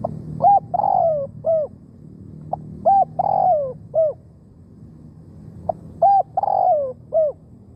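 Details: Spotted dove serving as a decoy to lure wild doves: three similar phrases about every three seconds, each clipped notes, a long purring falling croo and an end hoot, clear above a quiet low hum.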